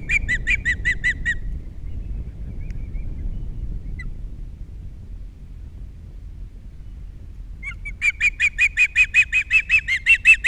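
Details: Osprey pair's nest on Captiva, filmed by nest camera with three chicks present, 21 February 2022: a burst of high whistled chirps, a long pause with low wind noise, then a fast, insistent chain of piercing repeated chirps that grows louder.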